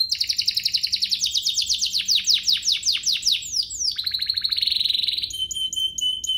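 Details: Bait song of a canary meant to excite other canaries into song: a dense buzzy rattle followed by a series of loud repeated downward sweeps, then a sustained whistled trill and crisp short notes.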